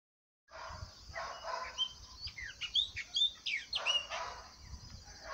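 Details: Chopi blackbird (graúna) singing in cerradão woodland near Cachoeira de Minas, Minas Gerais, Brazil: a burst of clear, sliding whistled notes, some rising and some falling, over rustling broadband noise and low rumble.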